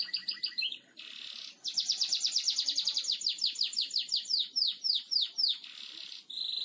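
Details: Canary in full 'gacor ngebor' song, a master recording for training other birds: a long unbroken trill of fast repeated downsweeping whistles, with loud sustained tones before and after.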